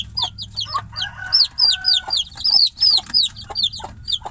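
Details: Chick calling for its mother hen from inside a cage: piercing descending peeps, rapid and persistent, with a brief lower tonal sound near the start.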